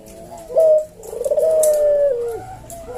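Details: Caged Barbary dove (puter jawa) cooing in the slow senggang style: a short, clipped 'kuk' followed by a long, throbbing, level coo that sags at the end. Meant as tutor and lure recording.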